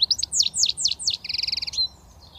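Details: European goldfinch from Britain, a young bird just beginning to whistle, gives a bright run of liquid, sweeping twitters that ends in a fast, even, ringing trill, then falls quiet.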